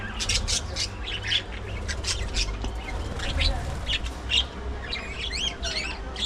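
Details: At early morning feeding time, budgerigars trade quick high chirps and looping warbled notes in a busy, overlapping stream, with a low hum in the background.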